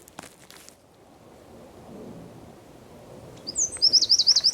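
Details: Eurasian wren singing in the San Miguel de Daño neighbourhood of Zamudio on 4 December 2019; after quiet background with a few faint clicks, a loud, rapid, high trill of sharply repeated notes bursts in for the final second.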